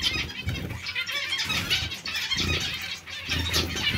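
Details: Captive zebra finch colony calling together: dense overlapping nasal, harmonic chirps and beeps run continuously, with a low rumbling hum or wing noise underneath throughout.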